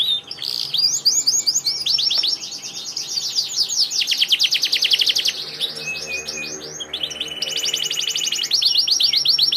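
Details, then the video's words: Canary in lively, full song, delivering dense rapid trills and rattling phrases, brief buzzy bursts and a sustained whistled trill near the end, continuous and loud throughout. "Kenari gacor"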